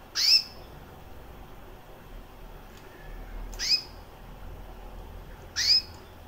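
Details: Pet recessive white female canary, about a year old with red-factor eyes, calling: three brief high rising chirps spaced roughly two to three seconds apart over a low steady background hum.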